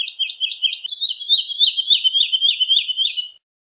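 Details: Woodlark song as one continuous, flowing run of liquid, looping warbled notes, steady in pitch and slowing slightly toward the end.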